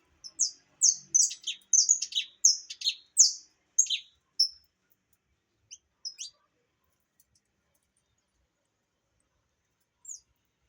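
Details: Opaline saffron finch delivering a fast series of high, sharp descending notes for about four seconds, then only a few isolated chirps with long silences between.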